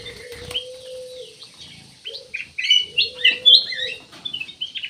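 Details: Song of a black-naped oriole: a quick run of sharp, varied chirps and short slurred notes grows louder after a quieter opening, with a long, even low tone in the background.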